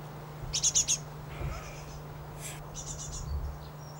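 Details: Great tit in a residential garden in spring, gathering food for its young: a quick burst of four high, sharp chirps, then scattered thin, faint high notes over a steady low hum.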